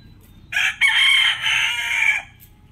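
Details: Rooster crowing: one loud, hoarse cock-a-doodle-doo of about one and a half seconds, starting abruptly, a brief break, then a long sustained strained note fading at the end, over a quiet low hum.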